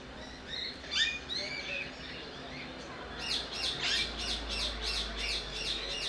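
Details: Eurasian stone-curlew at Belgrade Zoo in October 2022: shrill, wailing whistles that rise and fall, a few scattered notes and then a fast, excited series of about three per second, over a low hum.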